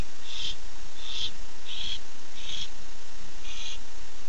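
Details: Male barn owl calling for his mate at night, 9:54 pm, 9-8-15: five short breathy, hissing screeches, each about a third of a second, spaced roughly every seven-tenths of a second, over low hum.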